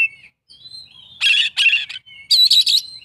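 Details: Short stretch of an Oriental magpie-robin's imitation-rich 'isian' song, with thin drawn-out whistles broken by three loud, harsh, grating bursts.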